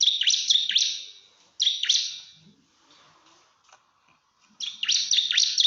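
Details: Bar-winged prinia calling to draw out a rival, with another prinia said to answer at once: three bursts of rapid, sharp, high chirps, separated by quiet gaps, the last burst loud and busy.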